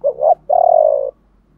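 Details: Fragment of a decoy spotted dove's calling coo, 'gọi ba hậu' style with a 'thổ pha' voice. A quick double hoot is followed by a sustained, gently wavering coo lasting over half a second. Faint low hum behind.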